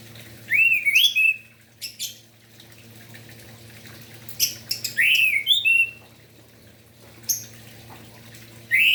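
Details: Vigorous morning song of an orange-headed thrush, a lure to get reluctant or young spotted thrushes singing: sweet rising-falling whistled phrases every few seconds, separated by pauses and sharp clicking taps.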